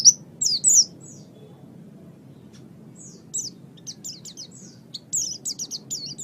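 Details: Oriental white-eye master recording for pet bird training; a few loud high slurred notes open, then a quiet stretch before soft, spaced chirps build into a renewed burst of twittering.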